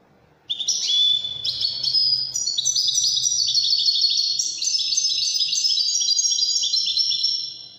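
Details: A European goldfinch delivers a long Moroccan Widani trill sequence. It opens with a sudden high ringing note, then runs into fast, jingling, buzzy phrases that step gradually downward and stay loud and continuous before trailing off.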